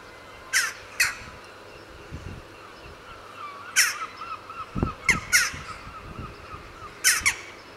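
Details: Western jackdaws (Corvus monedula) give about six short, sharp 'tchak' calls, often in quick pairs, over a faint thin twittering from another small bird.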